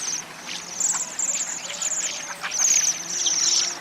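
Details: Waxwing flock producing a dense chorus of high, ringing trills that swell and fade, set against a constant hiss of background noise.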